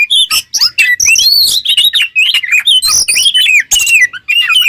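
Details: Oriental magpie-robin delivering a lively training song for songbirds: clear slurred whistles and sharp chirps in quick phrases separated by brief gaps, some notes scratchy.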